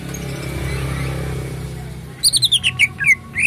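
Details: Greater green leafbird, a caged bird found at a bird kiosk, singing a quick run of high, clear whistled and chirped notes after a stretch of low background rumble.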